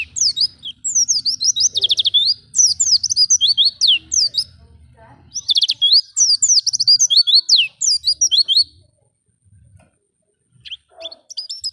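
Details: Oriental white-eye lure song meant to get captive birds singing in wild style: two long bursts of very fast, high, twittering whistles separated by a short pause, ending with a few faint chips.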